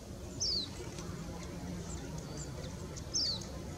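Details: Oriental greenfinch, recorded 12 January 2017 in Japan: two thin, high, quickly falling notes about two and a half seconds apart over a low steady background rumble, with faint fainter chirps between.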